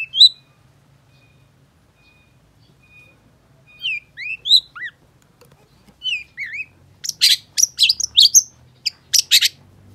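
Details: Long-tailed shrike singing: a few thin whistles and sliding, curling notes spaced out at first, then a fast run of scratchy, high chattering bursts in the second half, over a faint low hum.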